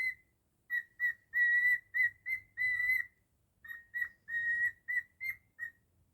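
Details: Cockatiel kept as a pet, whistling a Jingle Bells melody. Clean, tonal whistles come in a rhythmic sequence of short notes and sustained tones, with a short gap before a second phrase. Indoors, with little background sound.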